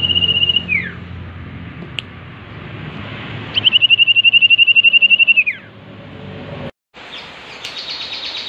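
Common iora giving rapid, even trills of high whistled notes, about four per second, each phrase ending in a quick downward slur.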